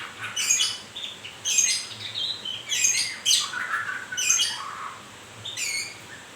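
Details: White-rumped shama in moult singing repeated loud phrases, each a high harsh burst followed by lower warbling whistles, about one phrase per second.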